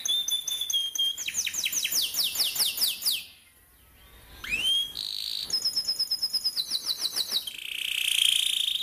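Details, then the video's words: Lure song for training young canaries: rapid descending whistled slurs, a brief pause, a single deep swoop, then a pulsed chattering phrase and a loud rich buzzing trill. "Burung KENARI GACOR NGEROLL||PANCINGAN KENARI PAUD MUDA HUTAN CEPAT BUNYI NEMBAK"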